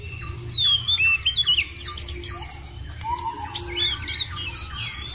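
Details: Lure recording of white-eye song meant to make other birds sing: fast continuous high chattering trills with buzzy notes, overlapping callers, and a lower descending whistle from another bird midway.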